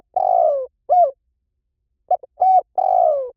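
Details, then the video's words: Lure recording of a spotted dove used to attract wild doves fast: a drawn-out falling buzzy coo and a short coo, then after a pause two quick notes, a hooded coo and another long descending buzzy coo. "เสียงนกเขาใหญ่ หมานๆ ต่อเข้าเร็ว ป่าไหนก็เข้า"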